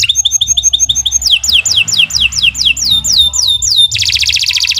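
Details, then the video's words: Canary in long song: a quick rolling phrase, then a run of high whistles each dropping steeply, ending in a dense buzzy trill over a faint low hum. "Kicau Burung Kenari 153 II LUAR BIASA GACOR PANJANG"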